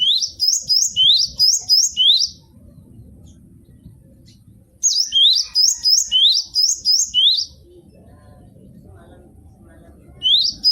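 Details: Cinereous tit (gelatik batu) song, used as a tutor recording: quick two-note whistles, each note rising sharply then a high thin note, repeated in bursts of about two seconds separated by quiet pauses.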